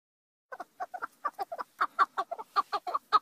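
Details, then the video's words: Chukar partridge beginning after a brief silence with clucking notes that build in loudness into a quick, uneven chuck-chuck series. "partridge call.partridge chukar."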